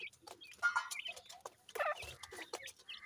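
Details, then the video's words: Playing grey francolin chicks utter scattered thin chirps and brief downward-sliding peeps, separated by short pauses, with soft tapping and rustling between notes. "goray teetar kay goray bachay in the playing,chicks voice"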